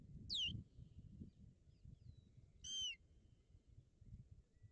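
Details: Two loud, clear osprey whistles, each sharply downslurred and spaced about two seconds apart, recorded at a nest in Barlinek Forest on 17 April 2022 during a visit by an intruding osprey; faint low background rumble.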